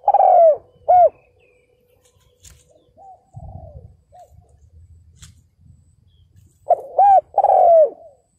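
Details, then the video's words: Caged decoy spotted dove luring wild males, with two mellow coo phrases of arched and long sliding hoots; faint distant coos and low rumbling noise fill the pause between them. "CHIM CU GÁY MỒI ĐẤT KÍCH BỔI CỰC SUNG"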